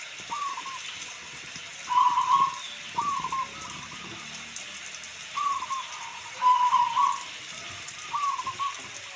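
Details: Local zebra dove repeating short, rolling, stuttering coo phrases every second or so, some louder and longer, over a continuous hiss of rain.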